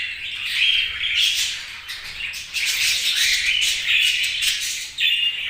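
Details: Chirping budgies produce a constant raspy chatter dotted with short, bright whistles, swelling in waves of activity.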